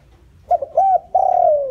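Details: Decoy spotted dove calling to lure wild doves: two brief clipped cooing notes, then a long, slightly quavering coo that slides gently downward, all in a quiet low-pitched setting.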